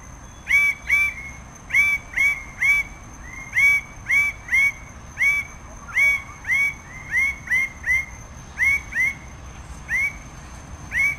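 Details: Red bird-of-paradise (Paradisaea rubra) calling persistently for over ten seconds, strings of loud ringing upslurred notes in uneven clusters of two or three, a constant faint high whine throughout.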